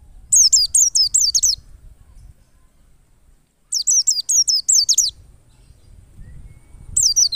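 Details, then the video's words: Wild white-eye song used as a lure to get other white-eyes singing: rapid bursts of high, thin, downslurred whistled notes, about six per phrase, with phrases separated by pauses of about two seconds. A faint low rumble sits underneath. "PLECI NGALAS power super mantap PAS banget buat PANCINGAN PLECI agar buka paruh"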